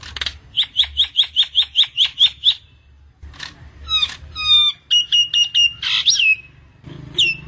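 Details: Myna trapping lure: a steady run of about ten clipped notes, a pause, then slurred squeaks, a quick stuttering series and a harsh rasping screech.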